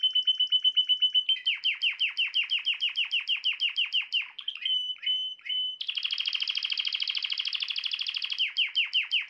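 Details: Canary singing, a song said to quickly bring a female canary into mating posture: long series of rapid downward-sweeping notes, a few clear whistles, then a dense rattling roll and more sweeping notes, loud and continuous.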